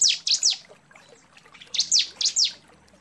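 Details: Calling female bar-winged prinia summoning a male: two clusters of three piercing high chirps, each dropping steeply in pitch, separated by a brief near-silent gap.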